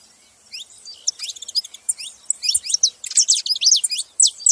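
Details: A group of saffron finches, soft at first, then a crowded stream of bright, high chirps and slurred descending notes, several birds overlapping in rapid, uneven bursts.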